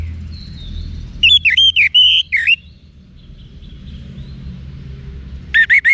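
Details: Orange-headed thrush singing in the wiksar style for training cage birds: a rapid run of bright swooping whistles, a pause with faint thin notes, then another loud burst starting at the end.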